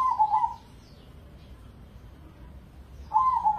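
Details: Indonesian crossbred perkutut (zebra dove), a prize competition bird, in full song: one purring, rolling coo phrase at the start and another beginning near the end, separated by quiet hum.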